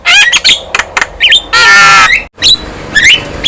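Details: Javan myna, a young bird in full song with head-bobbing, giving a few clicks, a twisting whistle, a long harsh rasping squawk, then brief rising whistles after a short silence.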